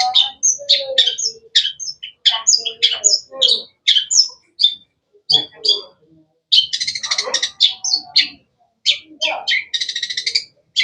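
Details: Long-tailed shrike (cendet) with a dense stream of varied sharp chirps and whistles, broken by rasping buzzy bursts later in the sequence.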